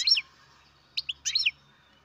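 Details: Baby goldfinch bred in captivity giving a quick, high descending chirp, then two short notes and a tumbling twittered phrase, with a faint low hum underneath.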